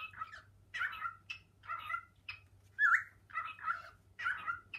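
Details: Pet male cockatiel climbing through kitchen cupboards beside his female partner, calling out learned words for her to come; a rapid run of harsh, voice-like chattering syllables with one clearer upslurred whistle midway, over a faint hum.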